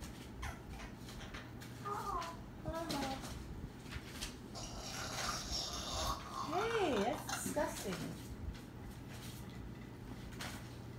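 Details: Talking parrot producing a few voice-like sounds with sweeping, wavering tones, then a louder swooping, gliding vocalization near the end, set against steady low room hum.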